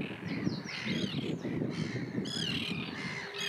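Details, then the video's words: Common terns in Russia give harsh, grating, drawn-out kee-arr calls, several overlapping in quick succession, over a steady low rumble of wind or water. "Речная крачка (Common tern)"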